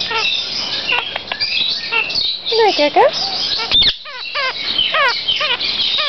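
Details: Kakariki (New Zealand parakeet) chattering: quick chirps and bent, chevron-shaped squeaky notes in loose bursts, with a short pause near four seconds, over a steady hiss.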